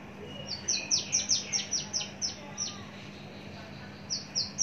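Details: Caged Javan bush lark, long kept and mature, repeats short, sharp high notes that drop in pitch, about three a second, then pauses before two more.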